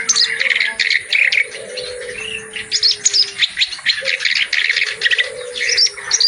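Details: Reed warbler singing vigorously with a full repertoire, used as tutor for reluctant birds: dense bursts of harsh chattering and scratchy notes, with sharp high whistles mixed in, over low steady hums and soft coo-like tones.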